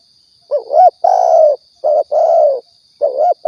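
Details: Spotted dove from Riau, a lure call for hunting: low rolling coo rising into a long, coarse, slightly falling coo, repeated in quick succession, with a steady faint high-pitched whine.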